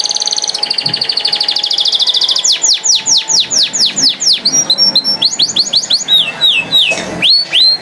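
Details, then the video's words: Canary singing nonstop: a fast buzzy trill of rapid repeated notes, then a run of loud down-slurred whistles at about two per second, ending in short rising and falling chirps. "Non Stopable Canari Singing | Kanari Sounds | Kanari Voice | Canary Beautiful Voice"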